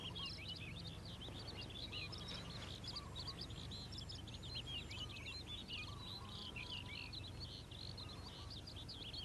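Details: Calandra lark in morning song, pouring out a dense, continuous stream of rapid high chirps and twittering notes without pauses, over a steady low background rumble.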